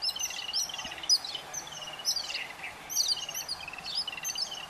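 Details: Yellow-billed babbler chicks fed by adults, a dense chorus of shrill, harsh squeals and rattling notes in repeated surges about every second, many birds calling at once.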